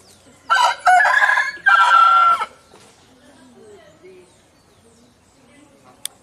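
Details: Rooster crowing, said to sound like it is saying "Vai Corinthians!": one loud, harsh, hoarse crow broken into three bursts over two seconds, ending in a drawn-out note, followed by soft low clucks and a sharp click.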